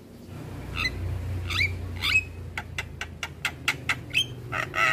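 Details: Javan myna in the morning, a model recording for young birds: a few sparse slurred whistles and short harsh clicks, then quick buzzy notes, fairly faint above a low background hum.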